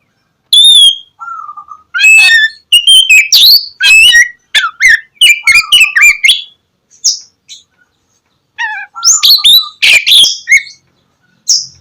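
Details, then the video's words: Kacer, or Oriental magpie-robin, giving loud gacor song as a lure for lazy birds in the morning: a high whistle, a low flat note, then a rapid run of chirps and slurred whistles, a pause, and more bursts. "KACER GACOR cocok buat pancingan kacer malas bunyi dipagi hari"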